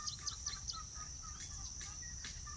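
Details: Weavers give quick, high chirps, about five a second at first, then scattered calls, over a steady high insect-like hiss. The setting is a natural area with a foraging great blue heron, a crowing rooster and ibis around.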